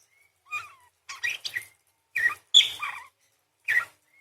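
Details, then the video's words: A parakeet gives a few separate bursts of scratchy chatter mixed with slurred squeaks, some falling, spaced by short pauses, and a faint thin whistle at the edges. "PARKIT GACOR !! full materi nembak panjang beset crecet roll basic dasar murai // parakeet bird call"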